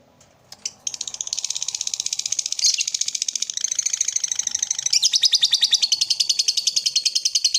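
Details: Lovebird used as a morning master recording to stimulate other lovebirds: a long, fast chattering trill of harsh high notes, about three per second, shifting pitch midway and continuing steadily.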